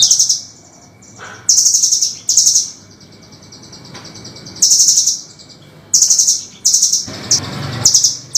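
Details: Velvet-fronted nuthatch in a harsh, sharp master recording used for training songbirds: loud, very high, buzzy chattering bursts, each under half a second, given in irregular runs of one to three, with a brief low thump near the end.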